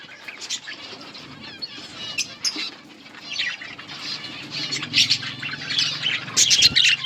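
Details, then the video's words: Budgerigars eating together in a colony; rapid high chattering chirps from several birds over a faint low hum, with louder bursts toward the end. "Budgies birds eating and enjoying in budgies colony budgies parrot chirping sounds"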